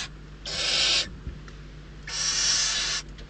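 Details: In a Spanish nest at Riet Vell, Ebro Delta, hungry barn owl chicks beg and compete for prey; two long, breathy, rasping hisses, each roughly half a second to a second, separated by a quiet pause.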